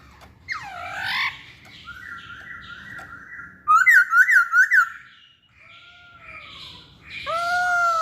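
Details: Masked laughingthrush with a harsh rising squawk, a long steady whistled phrase, a loud burst of quick repeated notes, then clear downslurred whistles.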